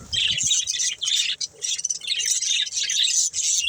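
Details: Budgerigar pets playing and eating chirp in bursts of bright, buzzy warbled phrases with short gaps between them, plus a few low thumps at the start.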